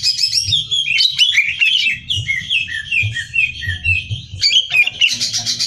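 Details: Greater green leafbird kept for song contests, singing energetically: a flowing series of slurred whistles and chirps, varied and quick, ending with a harsh rapid high-pitched rattle.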